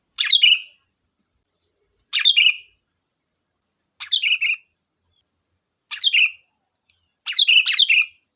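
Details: A vigorous sooty-headed bulbul, recorded as bait to get other bulbuls singing: crisp descending whistled phrases of a few notes, repeated about every two seconds, the last one longer, over a thin constant high-pitched hum.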